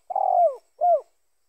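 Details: Spotted dove coo that can serve to draw in other spotted doves for trapping. A long, mellow, slightly wavering coo is followed by a shorter, falling coo, both low and soft.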